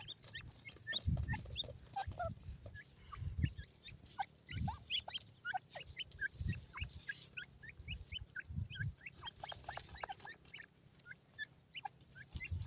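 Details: White grey francolin chicks playing with feed: many short, high, thin peeps scattered rapidly throughout, over soft low thumps and clicks from feeding.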